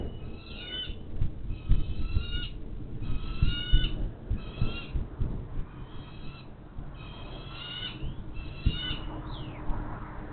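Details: Adult bald eagles at a nest camera along the Monongahela River, West Mifflin, Pennsylvania, 25 May 2023 at 10:58, one flying in with fish, its mate right behind: thin high chittering squeals in rapid bursts over heavy rumbling background noise.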